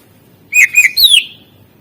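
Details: Greater green leafbird singing 'isian' fill-in song for prompting reluctant birds: a single crisp phrase of two clear whistled notes followed by a longer bright slur that drops in pitch.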